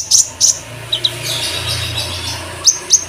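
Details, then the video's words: Olive-backed sunbird singing a cucak jenggot-flavoured master song for training cage birds. Scattered, very high, thin chirps come in pairs at the start and end, with a faint low hum throughout. "KONIN MASTERAN ,Rasa Cicak Jenggot"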